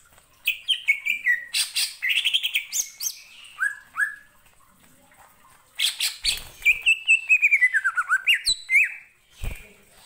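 Greater green leafbird singing a lively, varied run of sweet whistles, sliding descending slurs and quick chattering notes, in two energetic bursts with a brief pause between.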